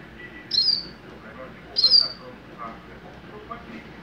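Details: Double-collared seedeater, a young captive-bred bird of mateiro song type, delivering two high thin buzzy notes about a second apart against soft background noise.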